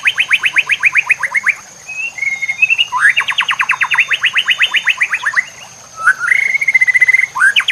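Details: White-rumped shama song used as a master recording to train other shamas: rapid repeated descending notes in long fast series, broken by whistled sliding phrases, with a steady high hiss and murmur of trickling water.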